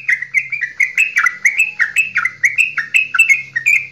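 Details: Straw-headed bulbul, Java, pouring out a long loud goklikan to set other birds singing; mellow warbled notes follow one another in quick, evenly spaced bursts that climb and drop throughout, with a low background hum.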